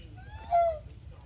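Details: A single honk from a goose raised on a farm while it feeds: a brief, strong, steady nasal note with rich overtones that falls slightly at its end. Low background hum.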